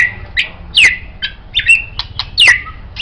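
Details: White-rumped shama, kept as a master songbird for training other birds, singing a varied song of whistled notes and sharp clicks, with slurred falling whistles and quick chattering phrases between brief pauses.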